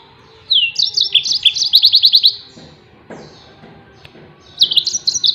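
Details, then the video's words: Song of the yellow-fronted canary, used as a tutor recording for other songbirds: varied high chirps leading into a quick trill of repeated notes, silence, then a fresh varied phrase. "SUARA TEMBAKAN BURUNG MOZAMBIK || COCOK BUAT MASTERAN"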